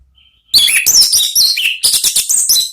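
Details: Orange-headed thrush (anis merah) singing in the loud, open 'ngeplong' style, offered as a lure and therapy song for kept birds. A faint thin tone gives way to a rapid, dense burst of high sharp notes, slurred whistles and brief trills.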